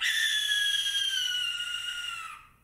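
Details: A Barn Owl gives its territorial call: one long, harsh, hissing shriek lasting over two seconds that sags slightly in pitch before cutting off, with no other sounds.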